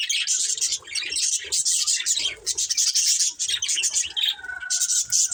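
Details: Several colourful budgerigars chirping together: a dense, continuous chatter of high, scratchy warbles and short tweets, with brief quieter dips and faint low thumps beneath.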